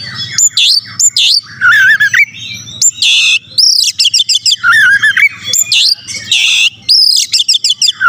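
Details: Oriental magpie-robin in full, vigorous song, used as a lure to provoke rival magpie-robins. Loud, varied phrases of high sweeping whistles, looping warbles and harsh buzzy bursts, delivered in quick clusters with brief pauses and a faint low hum beneath.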